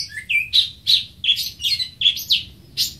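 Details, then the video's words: Greater green leafbird repeating loud, high chirping notes about every third of a second, some with a rising slur, in an energetic chattering series. "Greater Green Leafbird (Bird Singing 74)"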